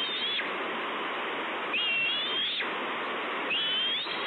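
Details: Hungry bald eagle chick K-38 at Two Harbors, 30 May 2013, calling for food: three high, thin screeches, each rising then falling briefly, spaced roughly every one and a half to two seconds over constant hissing noise.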